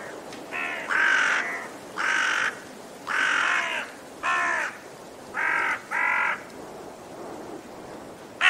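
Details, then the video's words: Raven uttering a fairly quick run of about nine coarse, nasal caws, roughly one every second, each slightly rasping, over steady low hiss. "Raben Geräusche - Raben Sound"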